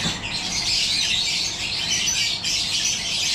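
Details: Yellow-collared lovebirds (personata) in an aviary breeding setup, giving a dense, continuous high-pitched chattering and squawking from many birds at once, with no pauses.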